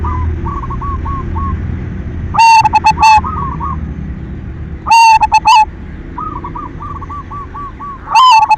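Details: Silver zebra dove, a prolific singer, used as a lure to stimulate other doves to sing: two loud bursts of rolling, clipped coos with a stuttering onset, while fainter doves coo in repeated short notes between them.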